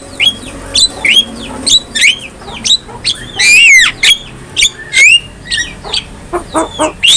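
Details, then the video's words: A Javan myna (jalak kebo) tutor recording for other mynas: evenly spaced short hooked whistles, with one loud swooping squeal in the middle and scratchy clicks toward the end. "KICAUAN JALAK KEBO | Masteran Jalak Paling Gacor,Hanya Hitungan Detik Saja Jalak Apapun Pasti Nyaut"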